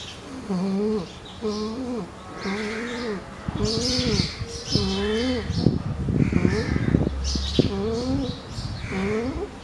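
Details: Dove giving low, wavering coos that rise and fall within each note, repeated about once a second. Loud clattering and rumbling noise covers the middle part, then the cooing returns.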